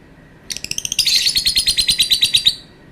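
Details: Lovebird uttering a long, drawn-out call: a rapid, pulsing run of shrill, piercing chirps that speeds into a continuous rattling trill for about two seconds before stopping abruptly.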